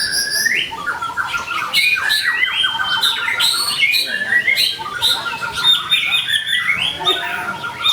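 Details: White-rumped shama in vigorous song meant to make other shamas sing: fast alternation of rasping squawk-like notes, high chips and whistled trills, nearly unbroken for eight seconds.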